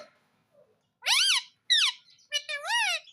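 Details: Pet talking Indian ringneck parrot, credited with saying "Mummy" and "Mummy mitthu ki roti do", utters three quick, clear, nasal phrases with arching pitch after a second of near silence.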